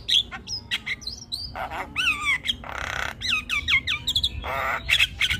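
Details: Nonstop chattering Javan myna in 'gacor' form: looping wavering whistles and quick slurred phrases mixed with broad harsh rasps, loud and continuous.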